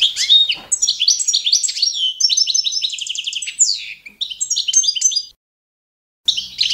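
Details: Balkan goldfinch (Carduelis carduelis balcanica) giving a standard competition song for training birds: a long, continuous, liquid twitter of high chirps, buzzy trills and sliding whistles, then a short break before the song resumes.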